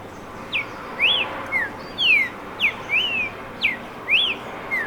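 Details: Streaked saltator song of melodious whistled notes given almost twice a second, mixing quick falling slurs with longer rising-and-falling whistles in a loose rhythmic pattern, with low background noise.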